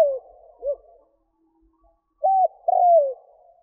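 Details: Spotted dove calling to lure wild doves, heard as a fading falling note and a short coo, then after a pause a flat clipped coo and a long downward-sliding croo.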